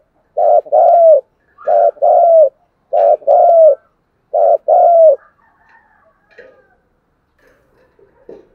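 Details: Spotted dove cooing, a recording used to prompt caged wild-caught and decoy doves to coo in rainy, windy weather: four paired bursts of low, hollow coos, each short note followed by a longer, slightly falling one, then quiet.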